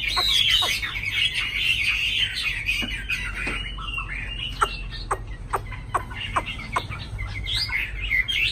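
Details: A tame Chinese hwamei kept in a cage in Hà Nội sings a steady, high warbling stream while sharp clicking or tapping noises repeat throughout, partly masking the whistles.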